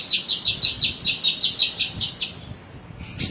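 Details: Sooty-headed bulbul singing in a recording used to train contest birds: a quick series of clear, evenly spaced chirped notes, about four per second, ending in a brief scratchy burst.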